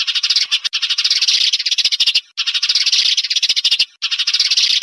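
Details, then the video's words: Sparrow chatter played to attract birds to glue traps: three bursts of fast, buzzy chirping, each about one and a half seconds long, separated by short silent breaks. "Tiếng chim sẻ chuẩn cho bẫy keo"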